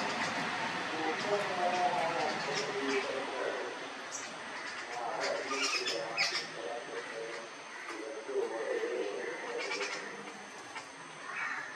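Jungle babblers keep up a busy, overlapping chatter of harsh, nasal squeaks and mews, several birds calling at once in quick irregular bursts.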